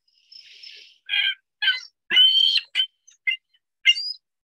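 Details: Ring-billed gull (Larus delawarensis) typical long call: a soft hiss, then about six short, nasal, high-pitched yelping notes spaced roughly half a second apart.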